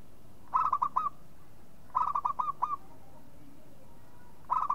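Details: Local zebra dove repeating its rolling coo phrase three times, every one and a half seconds or so, each phrase made of five quick, fluttering notes.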